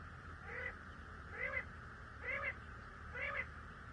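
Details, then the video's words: Common quail calling, four phrases spaced just under a second apart, each a brief cluster of notes with a lower rounded tone beneath, over steady background hiss. "CALL COMMON QUAIL (Coturnix coturnix) Batair ki Awaz , Batair Sound vol 13 , Common Quail Sound 2020"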